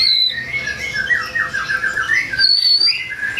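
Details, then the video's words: White-rumped shama singing to provoke rival birds: a varied run of sweet whistled and slurred phrases between high and mid pitch, shifting constantly over a few seconds, with a faint room-like background. "Kicauan Murai Batu Yang Bikin Emosi Lawan"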